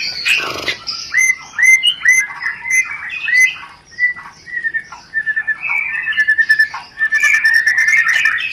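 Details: White-rumped shama giving a 'rencetan' lure song meant to stimulate mating desire: a busy run of sharp whistled notes near mid pitch, with clicks, upward flicks and a buzzy burst at the start.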